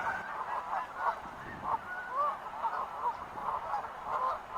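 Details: Wild geese giving a steady stream of nasal honks, several birds overlapping, the calls rising and falling in quick irregular succession over a low background hiss.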